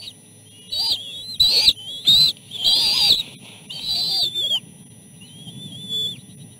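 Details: Nest chicks begging insistently at feeding time, the middle chick stealing the end of a fish; rapid loud high whistles in a run of five bursts, then a softer trailing whistle.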